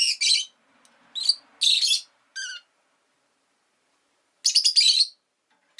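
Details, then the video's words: Pet rosy-faced lovebird (Agapornis roseicollis) gives shrill, harsh chirps in quick bursts and a few short squeaky notes, then a pause and a final rapid chattering burst; town noise such as vehicles may be audible. "Lovebird Chirping Sounds"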